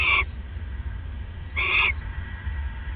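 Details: Owl at its nest during a bonding exchange, recorded at 1:26 AM on December 29, 2014: two short, harsh, raspy bursts about one and a half seconds apart over a steady low hum.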